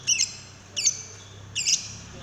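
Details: Lovebird giving a prompting call to draw song from another lovebird: three sharp, shrill squeaky chirps spaced roughly three quarters of a second apart, each a brief doubled note, low hum beneath.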